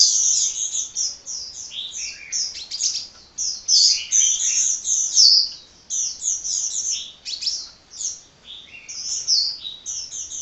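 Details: Hummingbird singing without letup: a long stream of rapid, high, twittering and buzzy notes with barely any breaks.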